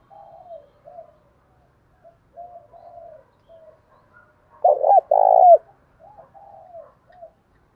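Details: Lure recording of a spotted dove with the Đồng Thổ voice, calling and cooing: scattered soft, low, wavering coos, then two loud, strong, deep coo notes around five seconds, ending in quieter coos.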